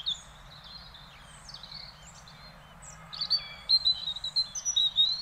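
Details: European robin (Erithacus rubecula) recorded in the Netherlands, singing high, thin, wistful phrases, faint and scattered at first, then a brighter run of quick sliding notes over a low background rumble.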